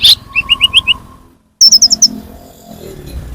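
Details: Sunbird call used as a lure for attracting birds: a short run of five mid-high chirping notes, a pause, then five higher, sharper chirps in quick succession over faint background rumble.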